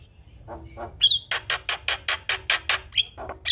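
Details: Energetic Javan myna singing in a full style with imitated phrases: two soft low notes, a bright whistle, then a steady series of about nine harsh, evenly spaced rasping bursts, closing with another thin whistle.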